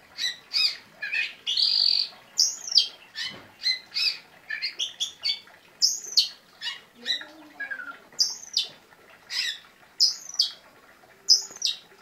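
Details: Oriental magpie-robin song in full voice: a rapid run of sharp, high whistled and chattering notes, many short bursts packed closely with bright piercing peaks, delivered fast and irregularly, with faint background hiss.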